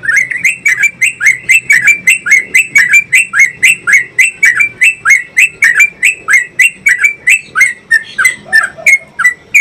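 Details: Long 'ropel' song of a trucukan (Yellow-vented Bulbul), a prompt for training caged birds to sing often. Dense, fast chain of bright chirps with high sparkling overtones, nearly four per second, slowing and turning ragged toward the end.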